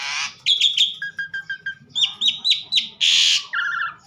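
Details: Asian pied starling in full, lively song, giving a series of sharp repeated chip-whistles about five per second, two lower whistled notes, then a harsh hissing burst and a low buzzy trill.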